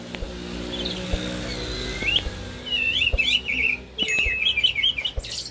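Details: Blackbird song with rich fluted warbling phrases that twist up and down, ending in higher, rapid twittering notes, over a steady low hum and occasional soft clicks.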